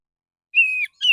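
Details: Male Oriental magpie-robin, morning, singing softly as a lure to call other magpie-robins: one long level whistled note, then a short gap and a second whistle starting slightly higher, clean with no background noise.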